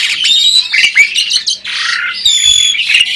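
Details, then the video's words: Asian pied starling, caged parent bird, mimicking speech with loud harsh squawks mixed with high clear whistles and buzzy chatter, continuous throughout, a few low knocks in the background. "burung jalak ini malah ngajak ngomong"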